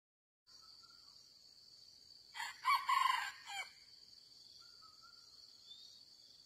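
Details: A wild red junglefowl (Gallus gallus) gives one hoarse, clipped crow of several quick syllables lasting just over a second, over a steady high insect drone and faint distant whistles.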